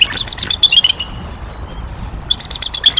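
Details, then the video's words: Adult female bald eagle vocalising at her nest during mid-April 2023 at Decorah, around prey deliveries and an intruding immature eagle. High, thin chirping notes come in quick uneven bursts, a quiet pause in the middle, then another chirping run. "HM: Vocals For Every Occasion / The Young Intruder"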